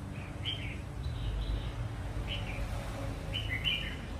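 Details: A recently caught wild red-whiskered bulbul that sings readily utters fairly soft whistled phrases, each a short falling slur, repeated every second or so against a droning low background.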